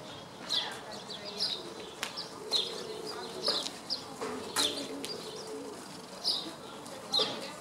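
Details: Barn swallow recorded on 24 May 2014 in Vrbje street, Zagreb, Croatia: short, sharp high chirps scattered irregularly over a steady background hum, with occasional clicks and faint low sounds.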